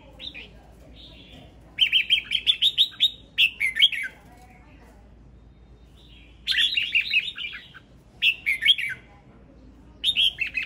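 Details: A male red-whiskered bulbul sings strong, fast warbled phrases of bright whistles mixed with clicky notes, each burst lasting one to two seconds, with softer single notes between bursts and little other sound.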